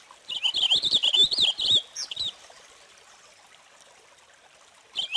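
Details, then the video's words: Purple finch delivering a lively, rollicking warble for about one and a half seconds, followed by a couple of short separate notes, silence, then the start of another phrase. "Canto del Camachuelo Purpúreo"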